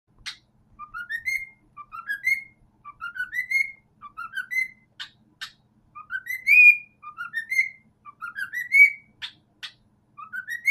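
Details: A pet cockatiel sings to a cockatiel-shaped sock, whistling a repeated rising phrase of stepped notes broken by short harsh chirps.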